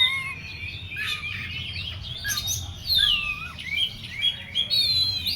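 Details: Oriental magpie-robin, worked up and agitated, pours out a continuous tangle of high whistles, rising and falling slurs and twittering notes over steady background noise.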